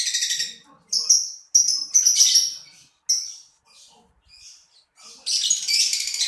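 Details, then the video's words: Lovebird calls in shrill, scratchy high chirps, some in quick pairs, with short gaps and a final burst of dense rasping chatter. "LoveBirt_Bunyi suara burung"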